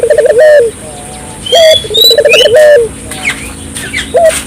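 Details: Barbary dove calling vigorously as a lure for local doves, giving low pulsed coos that run into a sustained falling note, repeated twice, with high chirps and whistles from other birds in between.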